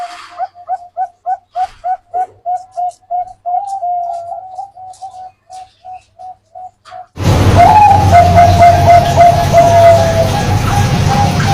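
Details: Zebra dove of Bangkok or local stock, singing as a lure for other doves: a fast, regular string of short, clipped coo notes with a slurred stretch midway, then loud broadband rumbling noise with a faint sustained tone.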